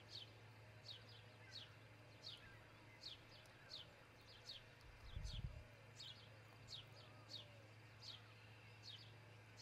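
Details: Osprey at a nest near Charlo, Montana, recorded by a nest camera on 22 June 2018 around dawn. It gives sharp, high, downward-slurred chirps, repeated about every 0.7 seconds, over a steady low electrical hum, with a brief low thump midway.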